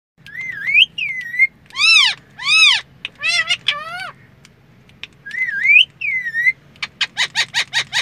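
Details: Pet talking parrot in a car gives a varied run of vocalizations: rising whistled slurs, loud arched squawk-like notes and a closing burst of rapid repeated clicks. A low engine hum runs beneath.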